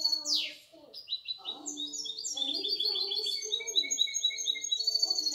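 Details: Goldfinch × canary hybrid, six months old, opens with a sharp falling sweep, then pours out a long, fast stream of high chirps and trills, with faint lower tones behind.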